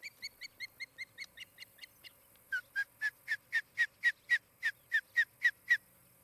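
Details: Osprey at its nest in Charlo, Montana, from a nest camera, 23 July 2018, late morning. Thin, quick, fading chirps give way to louder, slurred whistled notes, about thirteen at a steady four per second.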